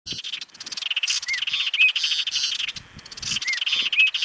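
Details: Apolinar's wren of the race hernandezi, restricted to the Sumapaz paramo south of Bogotá, Colombia, recorded in May, sings a fast, dense run of high, buzzy chattering notes, broken by short slurred whistles recurring about every two seconds.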